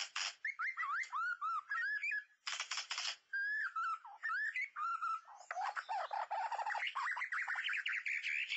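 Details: White-rumped shama song used with mirror and MP3 playback to lure birds: varied swooping whistles and harsh bursts, then a dense rapid jumble of twittering and scratchy notes.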